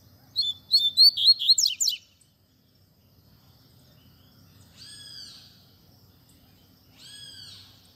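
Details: Double-collared seedeater singing the tui tui zel zel style, used to teach young birds: a rapid burst of high, sharp, slurred notes for about two seconds, then two softer, fainter whistled phrases after pauses, over a quiet low rumble.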